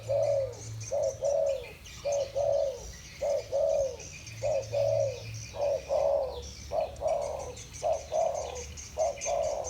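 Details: Cooing of two spotted doves with the 'thổ bầu' voice, answering each other: fairly regular series of short paired coos and longer falling ones, about one per second, faint buzzing above.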